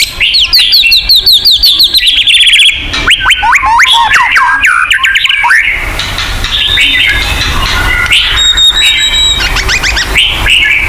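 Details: White-rumped shama song used to lure kept birds into singing: fast rippling chatter and rapid repeated upslurred notes, then a softer stretch of high whistles.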